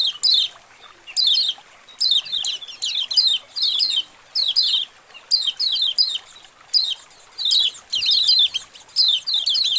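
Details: Colony of white-eyes, recorded as training material to prompt caged birds to open their beaks and sing. Dense bursts of high, thin, downslurred chirps, in clusters separated by short pauses.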